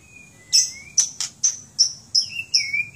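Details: White-rumped shama from Aceh, a kept bird, giving a run of sharp high clicking notes about every third of a second, with a long level whistle at the start and a falling whistle at the end.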